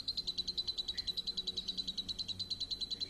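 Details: Champion lovebird giving lure song. It is a clean, regular high trill of quick chirps, roughly seven per second, steady in pitch and loudness for the whole stretch.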